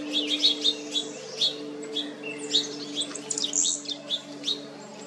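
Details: Painted buntings on Jekyll Island, Georgia, USA, in June 2022 during summer residence; bright chirps and short warbled notes in quick irregular bursts, with a steady low hum underneath.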